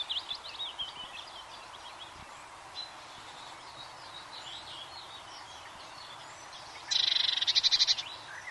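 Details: Faint mixed twittering of other birds for several seconds, then a loud, high, rapid trill of a Eurasian blue tit near the end.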